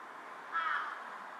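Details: One drawn-out, grating caw from a carrion crow perched on a power line, bowing as it calls, recorded 18 July 2023.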